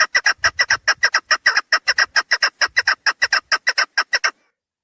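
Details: Chukar partridge hen calling, used to draw birds in for hunting, a continuous fast series of about thirty loud, harsh clucking notes, evenly spaced, then stopping abruptly.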